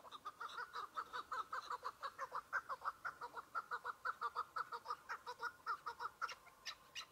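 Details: Single chukar partridge in spring with patches of snow on the ground, at the start of the season: steady rhythmic chuck-chuck notes about twice a second, clear and evenly spaced, with a few higher chirps near the end.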